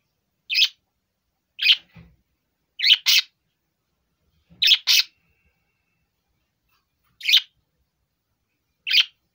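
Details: A four-year-old male pet budgerigar gives short, harsh, high chirps, singly or in quick pairs, every one to two seconds. A couple of faint low thumps are also heard.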